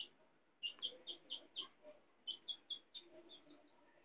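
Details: Chicks of a hen giving a run of clear, high, evenly spaced peeps, about four per second, in two short bursts over low background noise.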